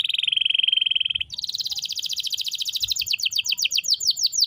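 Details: Canary song: a long steady trill of rapid even notes for over a second, then a brighter, faster rolling trill stepping higher and ending in sharp repeated downslurred notes, with faint low rumble underneath.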